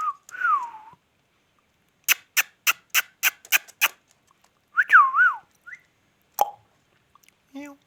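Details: Indian ringneck parakeet giving two wavering whistled phrases separated by a series of sharp, evenly spaced clicks, with a brief squeak near the end.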